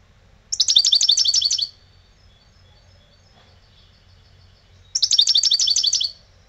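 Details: Old European goldfinch kept at home, singing lebrijano style: two high, sparkling trills of rapidly repeated notes, each about a second long, separated by several seconds of faint, thin twittering.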